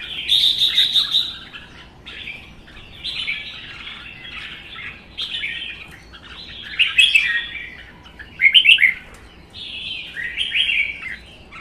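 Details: Captive red-whiskered bulbuls trading song in a singing contest; one bird was wild-caught and kept one season. Six bubbly, slurred phrases about every one to two seconds, with a sharp high burst near the end.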